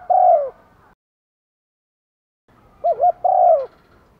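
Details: Spotted dove decoy bird cooing to lure wild doves: a single slurred, falling coo, then after a pause a quick wavering double note followed by a longer descending coo, in a quiet setting.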